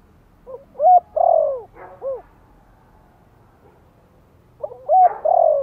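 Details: Spotted dove, Thổ-voice lure calling to rouse newly caught birds. Two cooing phrases about four seconds apart, each with a brief lead note, a hooked coo and a long falling coo, the first ending in a short arched note.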